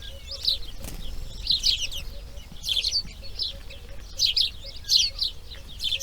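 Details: Grey heron chicks calling from the nest on day two of breeding: harsh, raspy bursts in short uneven clusters, roughly one or two per second, over a low background rumble.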